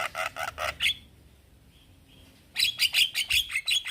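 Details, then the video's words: Male Javan myna calling young companions: bursts of rasping, buzzy chatter notes in quick succession, a pause of over a second of near silence, then another rapid series of harsh squawking notes. "Kicauan Jalak Kebo Jantan Memanggil Kawan Jalak Kebo Muda"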